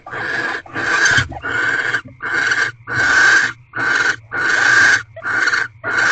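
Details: Barn owl in an owl box during the twelfth night of a mating ritual, 1 March 2023, 6:42 pm: about eight harsh, hoarse rasping bursts in quick succession, each under a second, with short gaps between them.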